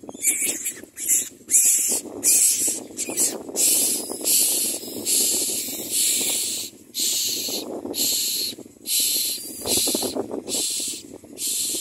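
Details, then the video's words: Hungry common mynas give harsh, hissing, rasping bursts, each about half a second long, repeated roughly once a second in a steady insistent series of about a dozen, with a low background rumble. "Common myna Birds are very hungry"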